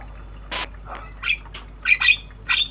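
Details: Jalak kebo, a black-winged starling, practising obyogan-style sounds: scattered short, harsh, high chattering notes separated by pauses, with one brief noisy click near the start.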